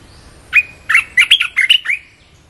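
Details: Red-whiskered bulbul song played to draw in wild birds: a single loud, rapid phrase of bubbly, whistled notes, rising and falling, with quiet background.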